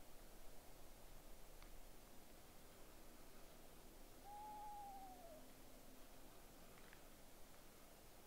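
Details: Eastern screech-owl (Megascops asio), call.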